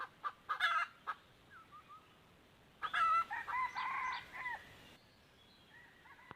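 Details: Recorded 1 April 2024 as two wild junglefowl came to a decoy hen: quick clucks and a brief burst, a soft call, then a strong, stretched, quavering crow, with faint calls trailing after.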